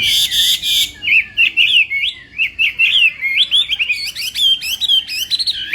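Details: Competition-style morning singing by a Chinese hwamei: after a short noisy burst, distinct whistled notes are repeated in a rhythmic series, becoming higher and more varied toward the end.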